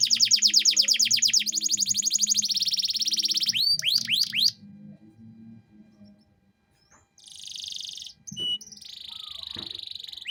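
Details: Lively canary with cengkok mewah phrasing, meant for tutoring young birds: a rapid high buzzing trill, a few sharp downslurred notes, a short pause, then renewed shimmering trills broken by brief clicks. A faint low hum runs beneath.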